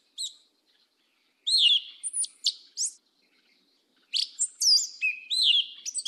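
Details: High, sweet whistled notes and thin squeaky slurs from a Yellow-legged Thrush in southern 'mateiro' song style, delivered in two bursts separated by a pause of over a second.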